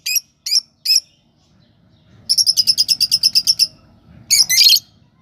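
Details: Chirping lovebird gives three short high chirps, then a rapid run of about thirteen clipped chirps, finishing with a louder, harsher chattering burst.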